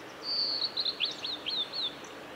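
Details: Male blue-and-white flycatcher singing on 17 May 2020 along the Kanazawa forest road at Lake Miyagase, Japan. A clear, high whistled phrase holds a steady note, then breaks into quick downward-slurred notes, over a soft background hiss.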